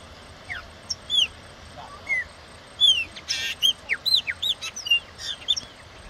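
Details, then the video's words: Wild chopi blackbird singing: a lively run of clear slurred whistles, some rising and some falling, given in quick uneven succession, with one brief harsh noisy burst in the middle. "ASSUM PRETO SELVAGEM"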